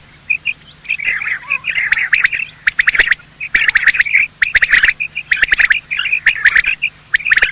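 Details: Quail, male and female, calling in the morning, a recording used to hunt quail: nearly continuous twittering chatter of short piping notes with dense ticking clicks, brief breaks between busy stretches.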